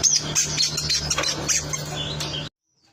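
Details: Long-tailed shrike singing actively with a fast jumble of high chirps and scratchy notes over a low hum, stopping abruptly into silence.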